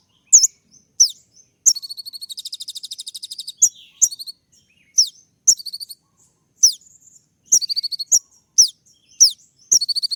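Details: Sunbird (kolibri ninja) in full-isian song said to court a female: a long, fast buzzy trill early on, followed by many sharp high descending whistles and short chattering runs.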